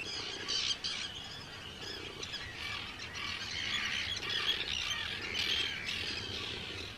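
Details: Arctic terns calling in a large breeding colony of hundreds of birds on Rottumerplaat, the Netherlands, 4 June 2023: a dense chorus of harsh, high squawking cries overlapping continuously, with some louder bursts near the start.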